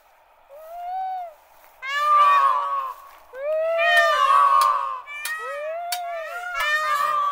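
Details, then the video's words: Peacock calling with loud, wailing, arched notes, rich in harmonics. Drawn-out cries, some overlapping, come in bursts over seven seconds, with brief sharp clicks between them. "Peacock song"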